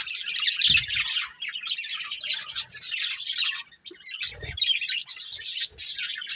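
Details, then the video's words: Pet budgerigars, a breeding pair, warble and chirp in dense high chatter with brief pauses and a few low thumps. "Cute Budgies Chirping Sounds"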